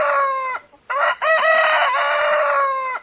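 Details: Crowing domestic rooster: the tail of one crow, a brief silent gap, then a long, strained, buzzy crow with stacked harmonics, sustained at a steady pitch for about two seconds before stopping abruptly.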